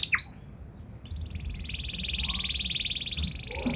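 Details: Canary song with special phrasing, meant to prompt other canaries: two sharp high notes, then a long, fairly soft buzzy rolling trill held for over two seconds.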